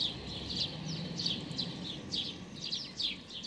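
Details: Young, hungry, begging sparrow with unusually pale, almost white feathers, observed 16 May 2019, gives rapid, high, thin chirps, several each second, dipping and rising in a busy stream over a steady background hiss.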